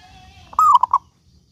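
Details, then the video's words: Local zebra dove singing, used as a lure to set other doves singing: a faint steady tone, then a single phrase of a bright slurred coo falling into two short notes. "Perkutut Lokal Gacor Suara Paling Ampuh Untuk Pancingan Burung Perkutut Agar Bunyi gacor"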